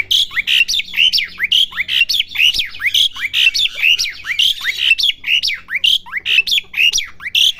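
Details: Young Asian pied starling learning to sing: a steady string of loud, whistled and chattering notes with sharp rising slurs, repeated quickly through the whole stretch with little pause.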